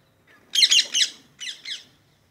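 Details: Green parrots at Twickenham: two bursts of harsh, raspy squawks, three rapid notes then two more after a short pause, loud and broadband against a quiet background.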